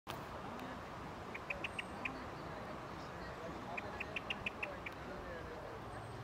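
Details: Common blackbird (Turdus merula) in Ljubljana Botanical Garden, Slovenia, on 6 May 2024, giving two quick bursts of four or five sharp, clipped chick notes over a steady rumble of background noise.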